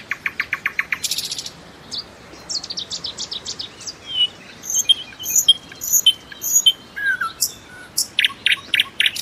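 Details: Common nightingale song opening with a fast series of evenly repeated notes, followed by thin high whistles, slurred liquid phrases and groups of sharp repeated chips.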